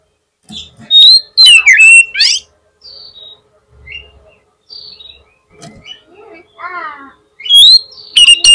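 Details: Kacer lure song for drawing a rival magpie-robin's reply: bright, piercing whistled phrases that swoop and warble, broken by quieter chirps and a short run of falling buzzy notes, ending with another loud burst.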